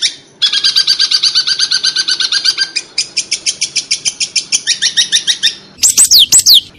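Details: Long-tailed shrike song in the tembakan unik style, used as a training recording: dense runs of fast chattering notes, about three per second, shifting into a harsher buzzy series, then ending in loud sweeping whistled slurs.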